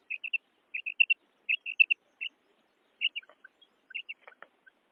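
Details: Female quail giving quick high paired notes in small bursts of two or three. A softer patch of faint clicks and scattered ticking follows partway through.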